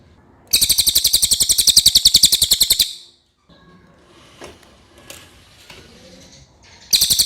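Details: Common iora, clear song intended as a masteran tutor track: a loud rattling trill of rapid, even pulses for over two seconds, quiet scattered sounds, then the trill starting again.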